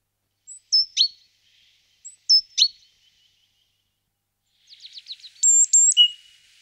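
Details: Great tit moving into a nest box, giving short sharp high notes in two paired bursts, then a quick ticking run and a few clear whistled notes ending in a lower drawn-out tone, on an otherwise silent background.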